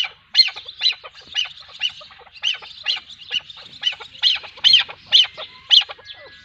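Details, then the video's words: Chukar partridge, likely a female, giving harsh, clucking chuck notes about twice a second, steady and repeated, with no other sounds. "چکور کی آوازیں|chakor pair | partridge sound | keklik sesi dişi |صوت طائر الحجل"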